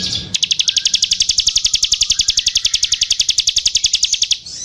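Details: Bar-winged prinia singing vigorously; a long, fast, perfectly steady run of identical sharp high notes, about nine per second, lasting four seconds, with a faint low hum underneath.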